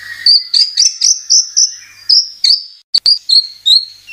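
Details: White-rumped shama (murai batu) lure song made of a steady series of bright, high whistled chips about every quarter second. A brief low note comes first and two sharp clicks fall in the middle. The background is quiet.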